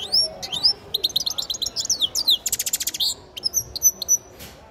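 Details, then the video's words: Grey-crowned goldfinch nestling singing: a quick varied twitter of high thin slurred notes and short buzzy trills, rapid stacked chips around the middle, then several clear high whistled notes near the end. "Птенец щегла пение"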